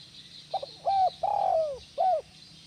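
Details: Spotted dove call used to stimulate other doves into calling: soft short opening notes, then a clipped coo and a long, drawn-out coo sliding downward, ending with another brief coo over a low hiss.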